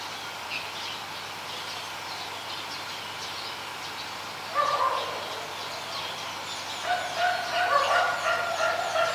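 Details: Adult zebra dove recorded in Ubon Ratchathani, Thailand, 28 December 2020. A quiet start gives way to two bouts of quick, stuttering coos at about five and seven seconds, over background bird chirps.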